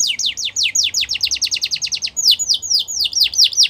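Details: Song of a Yorkshire canary for canary training, a quick series of sharp descending whistles, about five per second, slowing into longer sweeping notes at the end.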